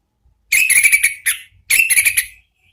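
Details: Orange-headed thrush ngeplong song, a lure to set other birds singing: two fast chattering phrases of clear whistled notes, each about three-quarters of a second, with a short slurred note between them.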